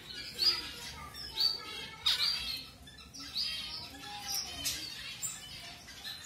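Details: Colour-mutation zebra finch newly introduced to a new mate for pairing; short, bright nasal chirps scattered through the moment, one quick downward sweep, irregular spacing with brief quiet gaps, soft background hiss.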